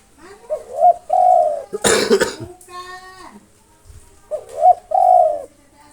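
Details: Local spotted dove singing to lure rival birds. Two cooing phrases, each of hooked short coos and a long, level end note, interrupted between them by a loud human cough and a short harmonic voice sound.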